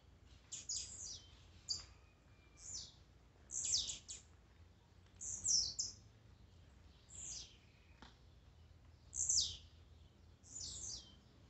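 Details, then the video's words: Warm-up mix of Blue-black grassquit songs for exciting a kept bird: about eight crisp, very high, buzzy phrases that each drop steeply, repeated irregularly every one to two seconds. "Melhor esquente de tiziu,cantos e macheados para enlouquecer sua ave."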